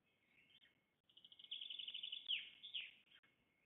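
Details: Black stork nest in a Łódź forest district, Poland, on 24 May 2021 during feeding time; after a soft start comes a fast run of high, squeaky chirps that rises to a sharp peak, then fades to scattered notes.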